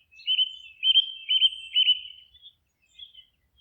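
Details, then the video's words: Bird singing in a forest: a steady trill of about four rapid pulsing notes over two seconds, followed by a short pause and a faint soft note, the setting otherwise quiet. "Forest relaxing sounds of singing birds"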